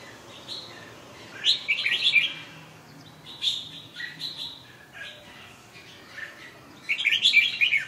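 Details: Red-whiskered bulbul delivering repeated bubbly phrases of quick, bright, slurred whistles, with quieter chirps between the louder bursts, over a faint hissy background.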